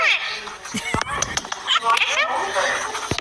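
A parakeet chatters in a fast run of high, scratchy, speech-like syllables, with a person's voice mixed in.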